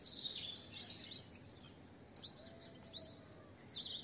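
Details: Asian green bee-eater calling: bursts of high, rapid, trilled chirps, a cluster at the start, then shorter rolling trills midway and a longer trill at the end, over a faint steady background hiss.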